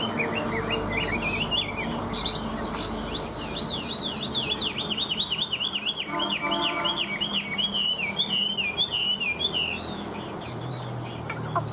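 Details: Chinese hwamei in sustained song, a rapid chain of wavering, trilled whistled notes repeated without pause, set against steady background noise and some low hum.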